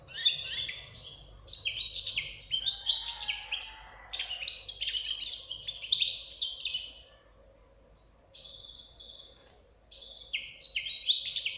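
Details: A young European goldfinch sings a high, rapid twittering song of tinkling, chattering notes. It pauses for about three seconds, then starts again.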